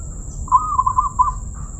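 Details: Zebra dove with a so-called crystal voice giving one burst of rapid, bubbling coos lasting about a second, with a softer trailing note, against low background rumble and a faint high electronic whine.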